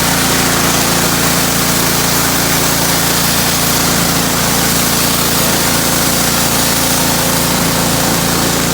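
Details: Loud, steady power-tool or engine roar of a pressure washer fills the whole recording, broadband and unbroken, with no animal calls heard.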